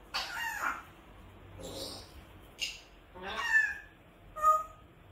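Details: A pet grey parrot screaming gives five loud, harsh squawks about a second apart; the last two carry clear whistled notes.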